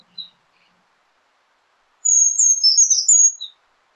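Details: Brown creeper (Certhia americana) song, rendered "trees, trees, beautiful trees": one very high, thin phrase of about a second and a half, wavering sibilant notes falling and rising, after a brief faint earlier note.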